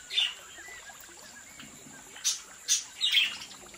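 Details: Budgerigars from a home breeding flock: a low hiss of background chatter, then a few short, bright chirps near the end, the last two close together.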